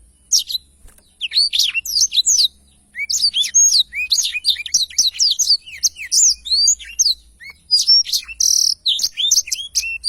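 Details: Very active Black-throated Canary delivering its long rolling song style for tutoring other birds: dense run of rising and falling whistled notes and quick chirps, almost continuous, with a brief buzzy burst near the end.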